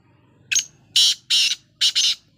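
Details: Black francolin heard while dust bathing, its call a series of harsh, scratchy bursts: a short lead note, two long rasps and a final doubled rasp, clear and loud with little background noise.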